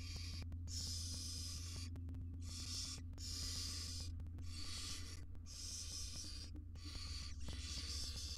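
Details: Barn owl mother with small chicks in a camera-equipped research nest box, wild birds free to come and go: a run of six rasping, noisy hisses, each roughly a second long, with a constant low hum underneath.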